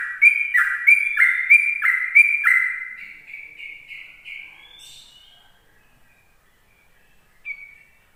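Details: Sooty-headed bulbul morning song in the style called ropel, used to lure other bulbuls: five loud two-part warbled notes repeated about every half second, then a softer fading run of similar notes and one brief note near the end.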